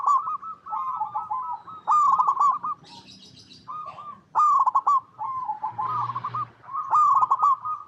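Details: Local Indonesian zebra dove (perkutut), a steady, fluent singer used as a lure call, sings soft, rolling, staccato coos in quick bursts, phrase after phrase, with a brief higher buzzy note and faint background noise between.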